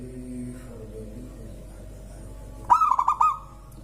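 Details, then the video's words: Local zebra dove that reportedly sets off other birds, heard after a quiet stretch of faint background sounds as one sharp stuttering phrase of five cooed notes near the end. "Suara indah perkutut lokal bikin burung lain ikutan bunyi gacor"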